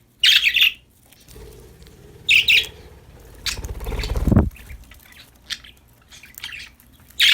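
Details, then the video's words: Happy budgerigars playing: loud, harsh chirps come in short bursts a couple of seconds apart. Between them is a low rumbling and rustling noise, rising to a brief loud thud. "Happy Parakeets Chirping Sound #budgies Singing, Playing"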